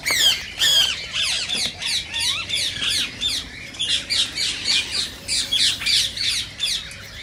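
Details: Rose-ringed parakeets calling, played to stimulate singing and mating: a rapid series of harsh, screechy squawks repeated roughly three times a second, with overlapping birds and a few higher chirps.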